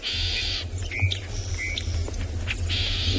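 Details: Brown-crowned tchagra alarm call at sunrise on 24 August in Tswalu Kalahari Reserve, South Africa, with birds reacting to a nearby pride of lions. Harsh buzzy rasping bursts open and close the call, with short whistled notes between them over a low vehicle engine rumble.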